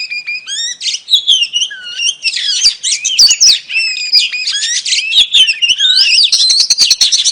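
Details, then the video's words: Oriental magpie-robin, a female calling to entice a male, giving a busy, rich warble of rapid chirps, looping whistles and harsh notes, sustained and loud without pause. "KICAU KACER BETINA AMPUH PANCING KACER JANTAN LANGSUNG GACOR"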